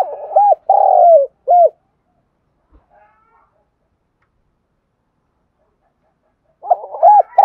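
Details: Calling coo of a spotted dove used as a lure for wild birds: a rapid stammered lead-in, one long smooth downward coo and a short end note, then about five seconds of quiet before the next phrase begins.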